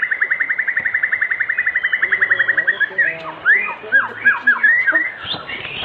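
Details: Singing white-rumped shama, an evening lure to draw song from other shamas: about thirty quick whistled notes repeated in an even rhythm, followed by several looping, slurred whistles.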